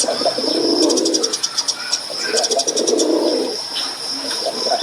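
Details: Male dove cooing: low, throaty coos in two long rolling phrases, with steady high-pitched insect-like buzzing and rapid ticking throughout.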